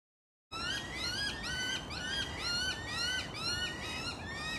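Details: Black Sparrowhawk in the morning after mating: shrill, upslurred squealing whistles about twice a second, overlapping, over low hiss; the male called for over ten minutes as the female refused the thrush he brought.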